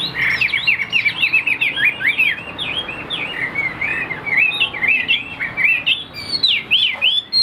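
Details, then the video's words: Caged hwamei of the three-yellow tam hoàng type in afternoon song, below full strength: loud, clear whistled phrases of swooping notes, varied and fluid, with some high sharp sweeps toward the end. "Tam hoàng chim đẹp trên từng milimet, hót tốt bộ siêu đẹp"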